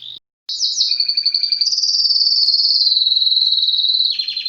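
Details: Loud canary song, nearly all one long sustained, finely pulsed trill held at a steady high pitch, opening with a brief note and pause and shifting into a lower rolling trill at the close.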